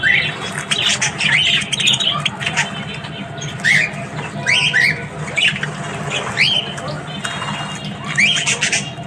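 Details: Australian budgies in the morning call with repeated short rising chirps every second or so amid softer scratchy chatter, several birds over a low steady hum.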